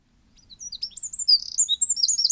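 Eurasian wren singing a loud, explosive burst of rapid high trills and sharp twittering notes, building quickly in volume.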